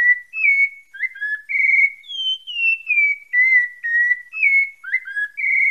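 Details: Sabiá-parda thrush from Bahia, Brazil, delivering continuous whistled song: pure sliding notes that dip, rise to a high peak mid-phrase and descend, repeated in a flowing even series without pauses or background noise.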